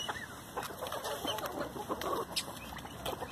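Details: Chickens feeding on leftover hamburger buns make soft, murmuring clucks and low chatter, blended with pecking and scratching noise.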